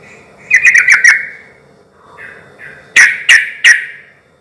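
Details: Sooty-headed bulbul song, played as a lure to draw other bulbuls into answering: a burst of four or five bubbly, slightly harsh notes near one pitch, a lower soft warble, then three more sharp bubbly notes.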